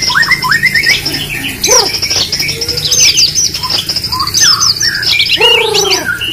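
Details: Competition white-rumped shama giving a lively, varied song: clear rising whistles, a long sustained high trill, sweeping slurs and a burst of low warbled notes near the end, over a faint hum.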